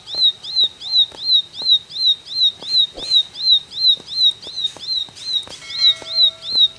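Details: Ciblek in full 'gacor' song: a high piping whistle, each note curving up and down, repeated evenly about three times a second, with light tapping sounds and a brief faint tone near the end.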